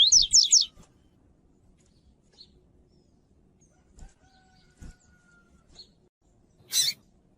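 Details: A Double-collared Seedeater, a song used by breeders to train and warm up their birds, gives a quick run of four high, rising, sweeping whistles, then falls quiet apart from faint ticks and one later sharp burst.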